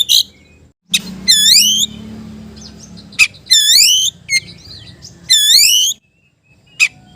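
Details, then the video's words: Singing magpie-robin challenging a rival, repeating a loud, ringing phrase of rising harmonic whistles about every two seconds, with sharp clicks between; a low hum sits under the middle section. "KICAU KACER MEMANGGIL LAWAN"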